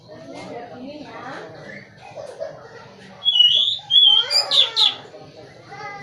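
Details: Oriental magpie-robin (kacer) singing, recorded around September 2020; a few seconds of people talking come first, then loud, clear whistled phrases and rich, rapid warbled notes burst out before quieter talk returns.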